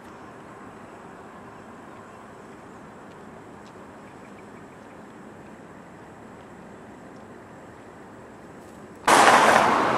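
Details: A low steady hiss and hum continue for several seconds before a sudden loud, harsh burst of noise near the end, and no animal calls.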